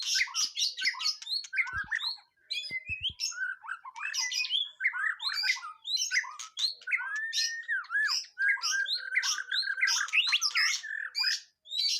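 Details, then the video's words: White-rumped shama, a caged bird being trained for its first contest, singing a dense rich song of rapid whistles, trills and buzzy notes sweeping between mid and high pitch, with a few soft knocks in the background. "Nguji Mental Burung Murai Batu Perdana"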